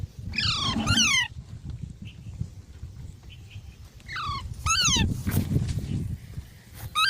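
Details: Parrot with its keeper, likely a pet in India, giving bursts of harmonic squeals that slide downward, separated by pauses, over a steady low rumble of background noise.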